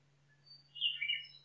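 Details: Nightingale in a forest gives a brief song phrase: a thin high note, then a rich, rapid, slightly descending burst of warbled tones lasting under a second, heard against a quiet background.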